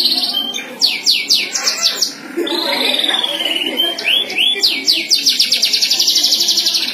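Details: A domestic canary (Serinus canaria domestica) sings a fast, varied song of high rolling trills and a long warbled phrase, with rapid chirped notes repeating about four times a second.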